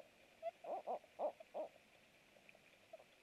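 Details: Barred owl at the nest at night during a food delivery, 23:49 on 27 March 2017; four loud, rounded hoots in quick succession, then faint soft notes trailing off.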